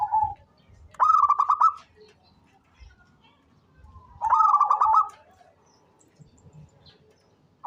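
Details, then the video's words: Local zebra dove, described as an eager, frequent caller suited for use as a lure bird: two rolling, trilled coo phrases near one second long, spaced about three seconds apart, with faint low background rumble. "SUARA perkutut LOKAL gacor cocok buat pancingan rajin bunyi"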